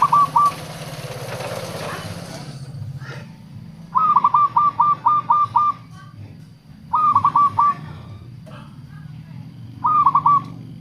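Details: Local zebra dove song used to lure wild doves and coax quiet caged ones into singing: stuttering bursts of rapid cooing notes, one long and several short, over a steady low rumble and hiss.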